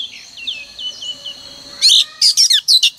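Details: Morning song of a female oriental magpie-robin, used each day to prompt males to sing: soft thin whistles drifting at first, then from about two seconds a set of loud, sharp chirped phrases in quick succession.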